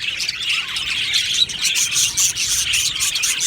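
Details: Captive budgerigar colony in an aviary, chirping and warbling; high, squeaky notes tumble over one another, with a brief dip in the chatter partway through before it resumes.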